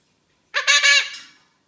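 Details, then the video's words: A blue-crowned conure kept as a talking pet, "making small talk", gives one short, raspy, speech-like utterance, rich and nasal, with a faint trailing note. "Small talking parrot | שיחת חולין עם תוכי"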